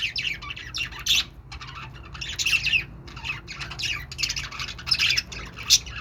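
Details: Budgie chatter, a dense stream of high scratchy warbles and squawks in bursts, with short pauses between phrases.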